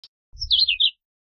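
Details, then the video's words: [1, 'Philadelphia vireo singing one short, burry, whistled phrase that slurs downward from high to mid pitch. A low rumble sits beneath it.'] "Philadelphia Vireo Song! Philadelphia Vireo Call!"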